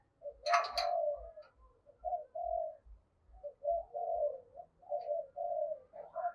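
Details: Spotted dove cooing in the 'giọng thổ' (cúc đình) style, a calling coo: a run of muffled, low, hoarse coos over a steady rhythmic low thumping, with a short noisy burst at the start.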